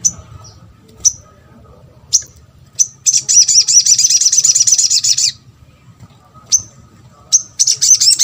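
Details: Crimson sunbird (sogok ontong) calling to prompt replies from other sunbirds: single sharp high 'tsit' chips spaced about a second apart, broken by a two-second burst of fast, thin, high warbling notes.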